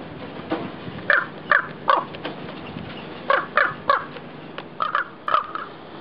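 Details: Angry raven with a nest, defending it from a person on the roof who is approaching: harsh, hoarse croaking caws in uneven bursts, some doubled, separated by short pauses, over faint background hiss.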